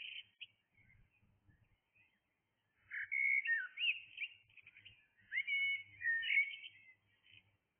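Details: Early-morning blackbird song, a soft opening note followed by two loud mellow warbling phrases with sliding whistles and twittery endings, faint low background thuds.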